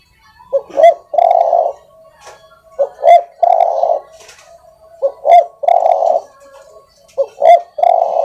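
Spotted dove cooing: two quick mellow notes then a long rolling purr, the phrase repeated about every two seconds, with faint chirps behind.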